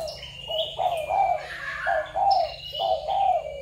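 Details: Spotted doves sourced from Malaysia, Thailand and Cambodia, dated 21 November 2022: repeated low, throaty coos in paired swelling notes about once a second, overlaid by bright, sliding whistles and chirps from other birds nearby.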